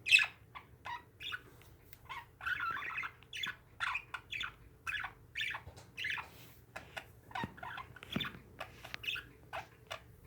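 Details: Pet parakeets chattering, a steady stream of short bright chirps and squawky notes, several each second, some rising and falling, with a faint low hum behind.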